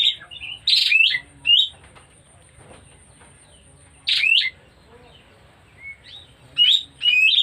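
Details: Oriental magpie-robin showing signs of coming into breeding condition gives short, loud bursts of shrill, harsh and rising whistled notes separated by quiet gaps of several seconds, over a steady faint high-pitched hum.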